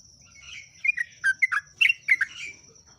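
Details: Softer, somewhat muffled bubbling phrase of slurred notes from a yellow-vented bulbul (trucuk/jogjog) in ngeropel song, with low background rumble and a steady high hum.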